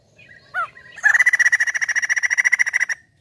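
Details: White-crested laughingthrush lure recording: a soft introductory note and a downslurred call, then a long run of rapid, harsh, evenly repeated chattering notes.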